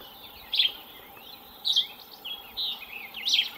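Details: Yellow-green vireo singing short, choppy warbled phrases, four brief bursts spaced roughly a second apart, each a quick slurred cluster of notes, with faint background hiss.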